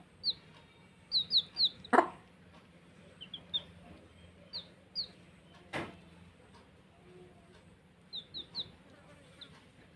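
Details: Baby chicks playing, giving scattered high, sharply falling peeps in small bursts, with two loud knocks and a low steady hum underneath.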